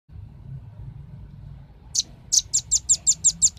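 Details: Velvet-fronted nuthatch on a lure recording used to attract birds: after a quiet start, a fast run of eight sharp, very high chipping notes, evenly spaced, close the recording over faint low background hum.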